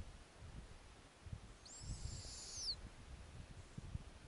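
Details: Snowy owl (Bubo scandiacus) owlet at an Arctic nest on a warm summer night, one of eight owlets of different ages, calling after the female returns with a lemming: a single high, hissing screech about a second long ending in a sharp downward slur, over low wind.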